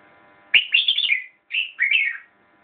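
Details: Red-whiskered bulbul giving two crisp whistled phrases, the first a fast tumbling run, the second a shorter lilting figure, with a faint steady hum underneath.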